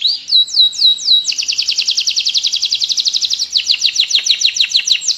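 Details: Domestic canary in continuous long-roll song, used as a master recording to tutor other canaries or coax lazy singers: a few slow downslurred whistles, then a fast rattling trill of rapid repeated notes, later breaking into louder buzzy phrases.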